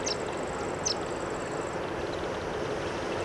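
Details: Indian silverbill (white-throated munia) in Gurugram, India, giving two short, sharp, peep-like descending chips about a second apart, over a steady rushing background like running water or distant traffic.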